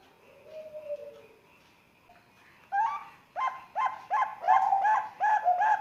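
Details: Three-month-old Bangkok zebra dove chick from Sengkang, Wajo, Indonesia, calling to coax other young doves into calling. A faint low whistle and quiet stretch give way to a run of short, loud, upward-hooked coo notes, about three per second.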